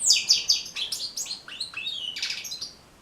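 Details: European goldfinch singing, a recording meant to train and stimulate goldfinches to sing; quick series of bright tinkling notes and short trills, then a descending buzzy twitter fading out at the end.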